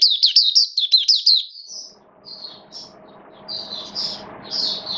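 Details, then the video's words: Caged Oriental white-eye, diet adjusted for rainy weather, delivering a rapid run of high chirping notes, about three per second, then softer scattered twittery phrases; a low steady hum sits underneath. "Mata Puteh Buka Sing Raja"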